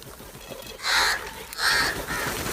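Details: Crow fighting another crow over food gives loud harsh caws: two long rasping calls about half a second apart, then a shorter fainter caw, over a hissy background.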